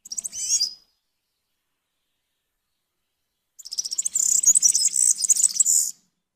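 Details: A brief high twittering phrase from a European serin, a long silence, then a fast, sizzling, jingling song of rapid metallic notes for over two seconds.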